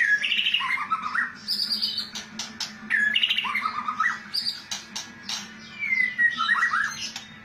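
A white-rumped shama pours out rich whistled phrases mixed with rapid rattling, chattering notes, repeating a similar phrase about every three seconds over a low indoor hum.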